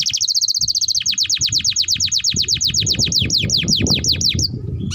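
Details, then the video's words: Canary song used as a training model for other canaries, opening with a rapid high trill, then a long series of steeply descending whistled notes about three per second, slowing at the end; faint low noise beneath. "Pancingan Burung KENARI Gacor Panjang || Masteran Kenari Paud"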